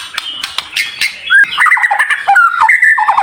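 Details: White-rumped shama song, presented as dense, sharp, high-pitched fills meant to prompt other shamas to start singing. It opens with scratchy clicks and buzzes, then runs into varied whistled phrases that rise, dip and waver.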